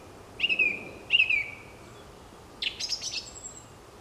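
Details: Song thrush singing early in the year in woodland as birdsong starts up and hazel catkins flower: a clear, fluty phrase twice in a row, then a new, higher phrase, repeating notes then changing, against a quiet background.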